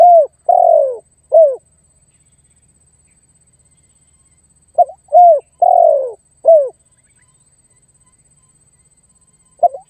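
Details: Spotted dove luring and challenging a rival, a recording meant as bait for wild doves: groups of short and long low coos, the long one sliding downward, with the phrase repeated twice and separated by quiet gaps.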